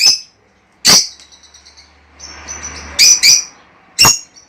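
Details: Lovebirds, calls played to encourage breeding: sharp, shrill chirps spaced a second or more apart, with a brief thin whistle and quiet rustling between them.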